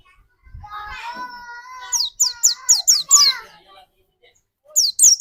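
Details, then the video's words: A steady lower harmonic tone opens, then a white-eye used to provoke another bird into song repeats high down-slurred chirps in a quick series, pauses, and starts again. "bermain burung pleci pancingan di jamin pleci anda cepat nembak"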